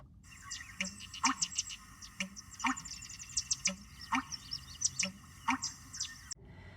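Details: American Bittern (Botaurus lentiginosus) song at Necedah Wildlife Refuge, USA, in a marsh: deep, gulping pumperlunk thumps like water poured from a jug, about once a second in loose pairs, beneath chatter of smaller marsh birds.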